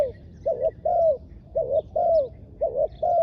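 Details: Spotted dove kept as a ground decoy for attracting wild doves, calling close with three pairs of soft coos, each a short clipped note then a longer arched croo; quiet background with faint bird chirps.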